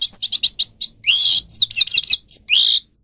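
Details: Goldfinch of the grey-crowned form singing for captive-bird training: quick high chirps lead into drawn-out buzzy notes and sharp twittering slurs, phrase closing with a rising whistle.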